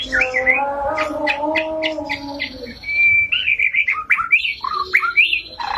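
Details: White-rumped shama singing vigorously: an opening of lower, steady harmonic tones gives way to a lively run of clear whistled notes, short slurred upswings and downswings, and brisk chattering phrases.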